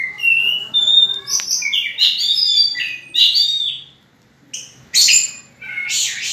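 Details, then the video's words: Song of an orange-headed thrush, used to draw other birds into singing: a rich, fast run of varied whistles and harsh notes, a short pause, then further loud, broken phrases. "pancingan burung anis merah"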